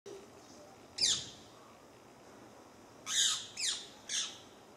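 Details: Rose-ringed parakeet perched in shrine trees beside rice paddies, giving harsh, raspy squawks: one single squawk, then a quick run of three loud, descending screeches about half a second apart over quiet background.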